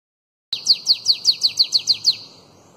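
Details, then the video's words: Bananaquit (sibite) in the 'Belga alongado' song style, played to train young bananaquits: about ten sharp, high, down-slurred chips in a rapid evenly spaced series, then a fading tail over a quiet background. "SIBITE CANTO BELGA ALONGADO Para ENCARTE De FILHOTES de CAMBACICA"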